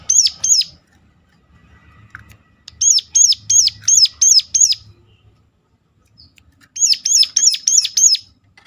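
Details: Ciblek gunung, or Sunda warbler, in a sharp call used as a lure to get others singing: three bursts of shrill arched notes, two, then six, then five, separated by pauses, at about three per second.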